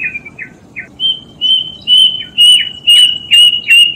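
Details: Plaintive cuckoo giving three short downslurred notes followed by a rapid run of level, piercing whistles, several ending in a quick downward flick, roughly two notes per second.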